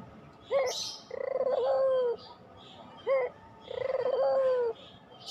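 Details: Pelung-variety Barbary dove, recorded to stimulate quiet doves, gives two phrases, each a short rising hoot followed by a long, buzzy rolling coo, with light high chirping behind.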